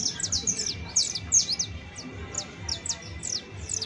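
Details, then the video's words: Saffron finch giving lively, high chirping song, sharp downward-slurred notes repeated at a quick, slightly irregular pace, roughly two to three per second, with low background hum. "CANTO DE CANARIO CRIOLLO EJEMPLAR [SICALIS FLAVEOLA]"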